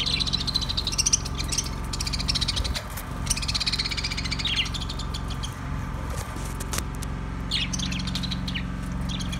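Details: Budgerigar producing long runs of busy twittering and buzzy warbles broken by brief gaps, with a constant low hum beneath.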